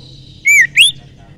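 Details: Two clear whistled notes from a young wild common iora used as a lure, the first falling, the second rising sharply.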